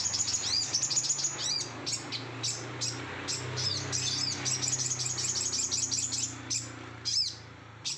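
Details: Sooty-headed bulbul singing in an over-excited, highly emotional way: a dense run of high, sharp chirps and twittering notes, rapidly repeated with short bursts and brief pauses, over a faint low hum.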